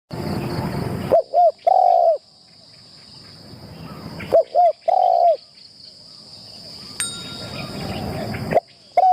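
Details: Spotted dove used as a decoy bird in a trap enclosure during its first training session. It gives two low, mellow cooing phrases of short notes ending in a longer drawn-out coo, with a steady high insect whine and rustling noise between them.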